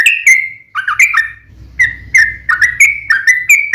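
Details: Sooty-headed bulbul singing continuously, used to lure other birds: bright, clipped whistled notes in quick succession with a brief break, over a faint low mechanical hum in the background.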